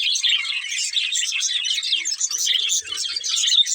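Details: Breeding pair of budgerigars chirping: dense, rapid, warbling high-pitched chatter runs continuously, with a few faint low sounds in the background.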